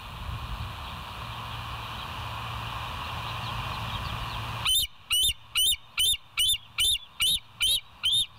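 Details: Bald eagle on a live nest cam at West End, 29 August 2023, 07:03: several seconds of steady hum and faint chatter, then a regular run of loud, high piping notes, about ten spaced under half a second apart.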